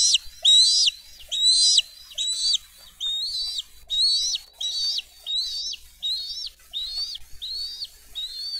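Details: Bald eagles feeding their eaglets with freshly brought fish at a Dade County nest, 22 April 2023: a rapid string of shrill, slightly doubled whistles, loud at first then steadier and softer, roughly one per second, over a quiet background.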